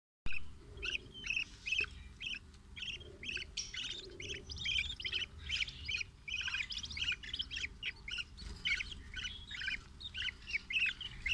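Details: A rainbow budgerigar breeding pair with eight young in cage breeding chatters nonstop, a dense stream of scratchy chirps and warbles over a low background hum.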